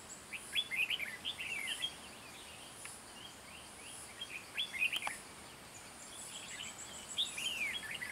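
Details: Red-whiskered bulbul with a 'gáy ngựa' song style, singing at a fight trap set for wild bulbuls: short lively warbled phrases in separate bursts, some fast and rolling, over steady faint hiss and a few clicks.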